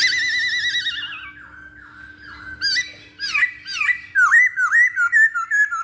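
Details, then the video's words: Masked laughingthrush song used to lure or train birds: a long quavering whistle falling in pitch, brief dropping notes, then a brisk run of bright upswept whistled phrases repeated quickly. "Pancingan Poksay Hongkong"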